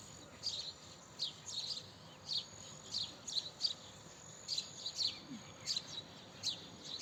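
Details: House sparrow chirping: short, bright chirps, often in quick pairs or clusters, repeated at irregular intervals of roughly half a second to a second over a faint steady background hiss.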